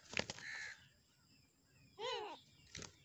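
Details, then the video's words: Dakhani teetar, a black francolin, fighting: a sharp click, then a brief, smooth, thin note, a pause, and a single loud, harsh, arched squawk, followed by a final knock. "dakhani teetar ki ladai ! Teetar ki larhai ! Amazing teetar fight"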